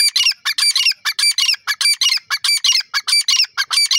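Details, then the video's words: Irani teetar (grey francolin) calling in a rapid, continuous run of harsh, shrill, squawking notes, repeated without pause across the whole stretch, with no other sounds audible. "titar ki awaj irani teetar birds wonderful sound"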